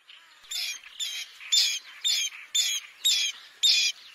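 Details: Rapid run of seven short, harsh, nasal notes from a bronze-winged jacana, evenly repeated about twice a second against a silent background.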